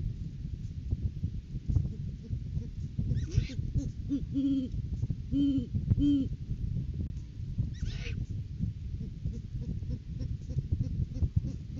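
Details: Great Horned Owl pair at a nest tree during courting season, January 9, 2023, on a live nest camera, visit with a rodent food gift; a short series of deep, soft hoots midway, over a steady low rumble.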